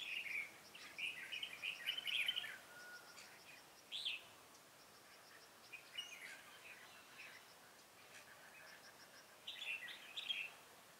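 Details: Red-whiskered bulbul at a bird trap, recorded 7 January 2018: a run of quick chattering warbles opens, then a lone sharp phrase, a quieter stretch, and a final burst of bright notes.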